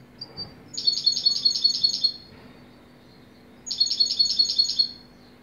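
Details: European goldfinch singing: two bursts of rapid, bright repeated twittering notes, each lasting over a second, separated by a short pause, with a faint steady background hum.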